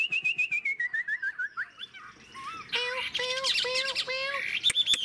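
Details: Wild-caught adult Chinese hwamei described as a fine long-session singer with a fig-leaf tail. It gives a fast series of whistled notes that slide down in pitch, then rich warbled phrases with repeated lower hooked notes.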